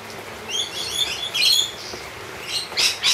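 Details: Wild lorikeets being treated to honey make thin, high chattering chirps and twitters, ending in two short, loud harsh screeches.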